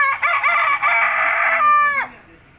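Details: Rooster crowing loudly: a long, harsh, harmonic-rich call with a few quick rising syllables, then a sustained note that drops sharply at the end, lasting about two seconds.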